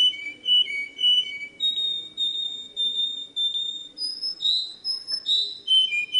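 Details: A canary sings sustained whistled tones, first lower paired notes, then a long steady tone, then rising and falling higher whistles, with faint background hum.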